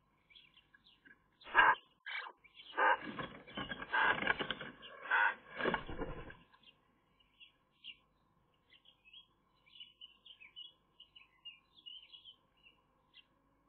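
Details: Eurasian magpie chicks in a nest, some of which die young, watched by a nest camera; loud, harsh, raspy bursts of chatter for about five seconds, then only faint, scattered high chirps.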